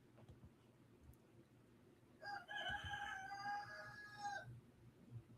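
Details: Rooster crowing in the background, a single long crow of about two seconds with bright layered tones, faint room noise before and after.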